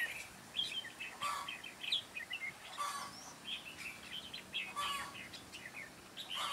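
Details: Decoy red-whiskered bulbul at a trap on 9 June 2017, calling to draw wild birds in: bursts of lively chirped and warbled notes, several overlapping, separated by short pauses, with a low background hum.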